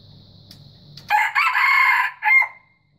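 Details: White junglefowl crowing: after a second of low steady hum, a loud harsh raspy crow bursts in, runs about a second in broken segments, pauses briefly, then ends with one shorter strained note.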